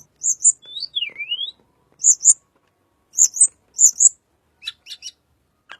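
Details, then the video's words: Little pied flycatcher, its song used as a lure for white-rumped shama: a sliding whistle dipping down then rising, with paired high sharp chips repeated roughly every second and faint scratchy notes at the end. "BURUNG TLEDEKAN SUARA UNIK"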